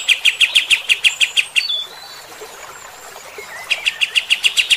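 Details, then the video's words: Kapas tembak, a bulbul, in frequent rough 'tembakan' song used to stir fighter-type birds: rapid sharp chips, a thin whistled slur and pause, then another quick chip series. "AUDIO KAPAS TEMBAK GACOR MBESET TEMBAKAN KASAR. BIKIN EMOSI BURUNG TIPE FIGTER"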